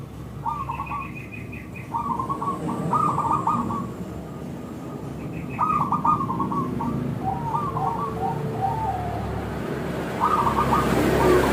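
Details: Lure call of a frequently calling local zebra dove, used to make other zebra doves answer: several quick, rippling bursts of clear, crystal coo notes with short pauses between phrases, against low background rumble.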